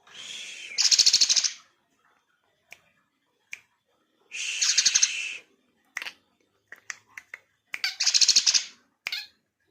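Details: Black-winged myna song with church-bell mimicry: three loud, harsh, rattling bursts about two seconds apart, with sharp clicks and ticks scattered in between.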